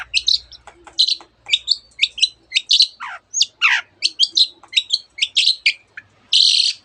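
A Long-tailed Shrike pours out a fast, tight run of high whistles, chips and trills, copying canary phrases and other birds. It ends in a harsh buzzy burst.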